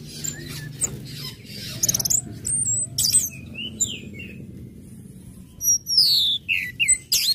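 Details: Orange-headed thrush, ngecip-ngecit-ngeplong song used as a lure to set other birds singing; scattered thin whistles and slurred notes, a quiet stretch, then louder sweeping whistles near the end.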